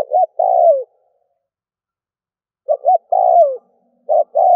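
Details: Spotted dove calling as a decoy to draw in other doves: paired short notes leading into a longer coo that slides downward, phrases separated by about two seconds of silence.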